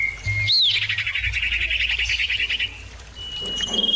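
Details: ['Common iora lure recording of birds answering one another. A sharp upward-looping note opens a rapid, buzzy trill lasting about two seconds, followed by a thin level whistle.']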